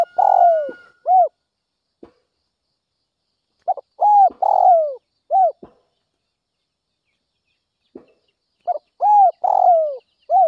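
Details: Spotted dove calling in the early morning in an intense, fired-up style. Phrases of deep, rounded coos, two or three full notes then a shorter one, repeat about every four to five seconds, with faint clicks between phrases.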